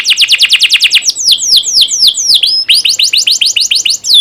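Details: Canary master song for teaching young canaries: an even fast trill of falling notes, a stretch of slower sweeping slurs, then the rapid chirped trill returns with a clipped whistle at the close.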